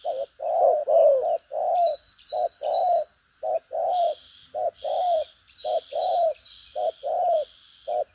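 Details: Spotted dove of the 'đồng pha chân cua' form, a hard cooer with lively habits. Continuous short-long coos repeat about once a second, accompanied by high, sharp falling chirps from another bird and a steady buzz.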